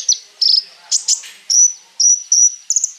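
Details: Konin song used to train other birds: short, very high, piercing notes and brief buzzy bursts, spaced about every half second.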